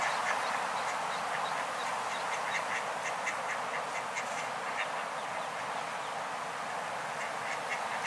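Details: Fatherless and motherless spot-billed ducklings, one brood 25 days old and another just 2 days old, pester adult ducks to become their parents. Quick repeated high peeps, about three or four a second, sit over steady background noise.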